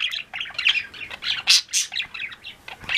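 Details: Flock of pet budgerigars giving continuous afternoon chatter: a steady stream of high, varied chirps and warbled trill notes, several birds calling over one another.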